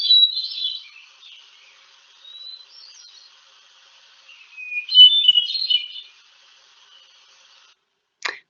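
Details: Hermit thrush, a New England spring songbird of the robin family, sings high, flute-like phrases that shimmer and tumble, each at a different pitch, spaced a couple of seconds apart; a sharp click at the end.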